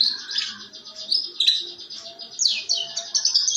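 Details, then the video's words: Canary giving a rough 'ngeriwik' trilling song to prompt other canaries to sing: fast high buzzy trills with sharp downward-slurred notes and several loud bursts. "kenari ngeriwik kasar buat pancingan"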